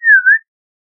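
A single clear, pure whistled note from an Audubon's oriole, dipping slightly and then rising again, lasting under half a second, followed by silence.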